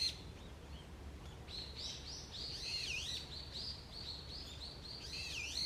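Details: Woodland birds on an early autumn morning, a busy run of high chirps and looping whistled notes building steadily over several seconds, with faint low background noise.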